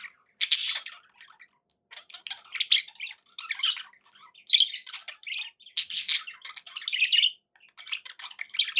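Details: Captive budgies calling indoors with scattered bursts of scratchy warbling, clicks and squeaky chirps separated by brief silences, louder phrases around the middle and end.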